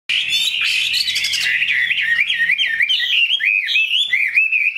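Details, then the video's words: Caged Chinese hwamei, a large purebred bird kept for its fine voice, pours out a continuous stream of loud, sliding whistled notes that swoop up and down with barely a pause. Harsher buzzy notes come early on. "Mi họa thuần, bộ to, chất giọng cực hay"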